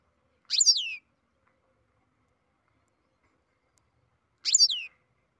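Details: Captive-bred European goldfinch in beginning song: two matching high, buzzy, downward-sweeping notes about four seconds apart, with near silence in between.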